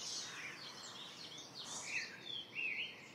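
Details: Indian grey hornbill, one of a pair seen from a window, giving two brief, high, squealing notes near the end, over a steady hiss of background noise.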